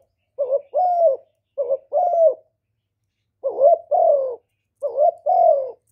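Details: Calling spotted dove, used to stimulate male birds, with no background noise. Four two-note coos are heard, two early and two after a pause. A short lifted note is followed by a longer, slightly rough, falling note.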